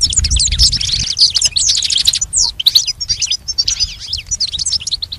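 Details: Goldfinch song for training a pet goldfinch: lively, high twittering phrases with swooping notes and rapid tinkling chirps, a brief low thump at the start, then steady varied song.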